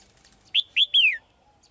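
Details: One phrase from a female bird singing in a cage to call the male: two short upslurred whistles followed by a longer whistle gliding downward.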